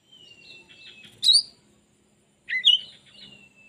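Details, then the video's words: Oriental magpie-robin with its tail fully spread sings two loud, sharp, looping chirps, each followed by a long, thin, falling whistle, over soft buzzy twittering and a faint low hum. "Kacer full buka ekor"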